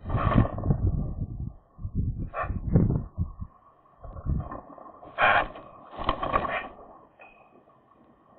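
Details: Eurasian magpie singing at its nest: harsh, rasping chattering bursts in short broken phrases with gaps between them, over a steady deep rumble of wind or handling noise.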